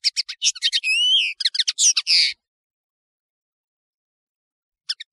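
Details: European serin, called nino in Algeria and kamatcho in Morocco, delivers a two-second burst of frantic high chirps, a rising whistled slur and wheezy buzzes, then falls silent before a few faint closing notes.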